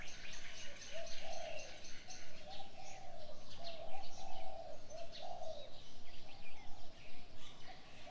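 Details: Birds at dawn: steady low cooing notes repeated through the whole stretch, with quick high ticking chirps during the first two seconds and softer twitters later.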